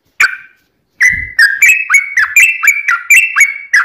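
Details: Yellow-vented bulbul in a long ropel song with fighting (tarung) character, used as a lure to make other bulbuls sing: one harsh note, a pause, then a quick bubbly series of rising, chortled notes repeated about four times a second.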